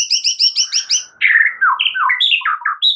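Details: White-rumped shama singing for training other shamas: a quick series of repeated high chips giving way to a loud, fluty, tumbling warble of rising and falling whistles.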